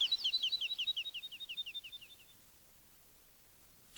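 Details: Woodlark recorded in Wielkopolski National Park forest in 1990: a cascading run of rapid, clear notes that slides gently lower and fades away over two seconds, leaving near silence.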